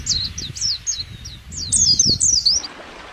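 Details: White-eye (pleci) in the wild: a quick run of about six thin, high, downslurred chirps, then a brighter, faster twittering warble of sliding high notes, over faint low background rumble.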